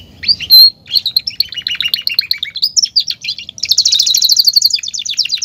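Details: Caged domestic canary male in full song: fast twittering phrases and trills that step downward, then a long rapid rattling trill held for nearly two seconds.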